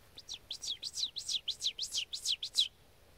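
Ovenbird song: about eight loud, ringing two-note phrases in quick succession, building in strength like 'teacher-teacher-teacher', high and emphatic, against a quiet background.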